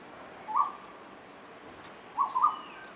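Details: One of two Asian koels singing and playing together gives short, hollow mid-pitched notes: one alone, then a quick pair about two seconds later, over a steady faint hiss.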